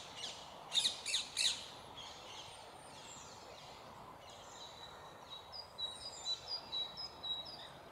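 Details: A rose-ringed parakeet feeds its young on branches while other parakeets call nearby. Three loud, harsh screeches come near the start, then a run of thinner, high chattering notes, with faint background birdsong.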